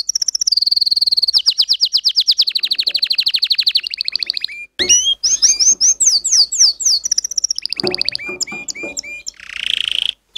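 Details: A Belgian canary sings a long, varied training song of fast rolling trills, sweeping whistles and buzzy rattles, switching tours every second or two.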